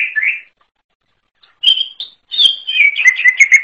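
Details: {'caption': "A wild greater green leafbird's unusual song begins with a brief warble, falls silent for about a second, then gives high clipped whistles and builds into a dense, rapid chatter of descending notes."}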